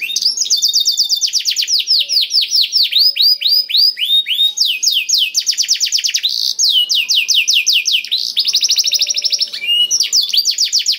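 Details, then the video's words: Black-throated canary, a tutor recording to make canaries sing: continuous stream of fast, high, downslurred notes in varied trills, with faint low tones beneath. "KENARI ISIAN BLACKTHROAT #181 || VOICE OF CANARY"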